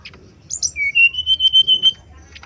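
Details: Male brown-chested jungle flycatcher, used as a lure so other males answer: two high opening notes, then a sustained string of pure whistles that rise slightly and hold a steady pitch, pulsing about five times per second.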